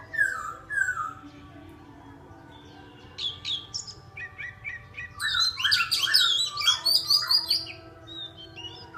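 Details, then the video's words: Songbird's bright chirping song: two slurred whistles open, then a quiet gap, then a burst of rapid varied chirps and trills, with a soft tonal hum in the background. "Chim hot hay"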